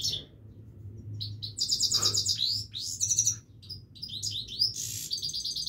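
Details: Himalayan goldfinch singing continuously, a lively mix of high chirps, rapid liquid trills and swooping twittered notes in close succession, with a steady low hum behind.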